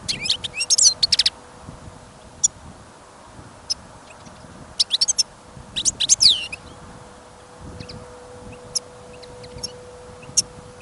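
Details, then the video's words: Captive European goldfinch kept as a listening bird, out in snowy, windy weather, giving short scattered bursts of high liquid twittering separated by pauses of several seconds, with wind noise and a low hum in the background. "Пение щегла - Голоса птиц. Щегол на прослушивании запел."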